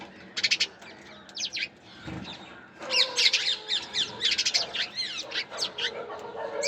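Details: Sparrows chirping in a lively burst of sharp, high, rapid notes, bunched into dense clusters with short pauses between, several birds overlapping, over a low steady background hum.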